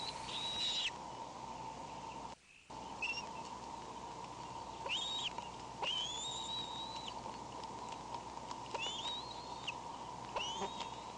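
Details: Bald eagle wheezing, May 19: a series of thin, high, drawn-out whistles that rise and then flatten, coming every couple of seconds over a steady mechanical hum, with one brief dropout.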